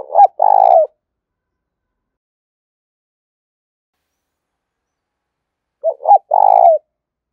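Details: Caged decoy spotted dove calling in the thúc and gáy gọi style to provoke wild birds. A clipped note is followed by a burry, buzzing coo. The phrase comes twice, about six seconds apart, in silence.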